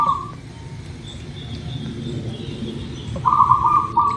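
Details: Lure song of a local zebra dove for coaxing birds into quick singing: the tail of one soft trilled coo, a long pause, then another full rolling coo phrase, with a faint continuous high buzz behind.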